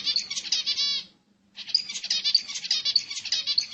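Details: Zebra finch singing to excite other birds, rapid buzzy, nasal notes stacked with harmonics in a continuous chatter, a brief pause near the middle, then the jumbled phrase resumes.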